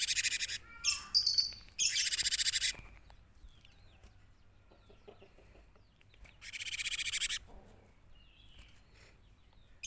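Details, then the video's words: Cinereous tit in full song, played as a lure for catching or attracting birds: three dense bursts of fast scratchy chattering notes, separated by several seconds of near silence with faint distant chirps. "suara burung gelatik batu gacor"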